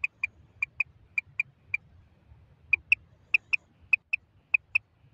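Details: Female common quail calling, a recording linked to netting and hunting: short sharp clicking double notes in pairs, repeated at an uneven rhythm, with a low background rumble.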